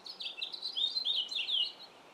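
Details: Male house finch singing in a yard, a rapid, jumbled warble of short slurred whistled notes, rising and falling without pause for about two seconds, loud and close.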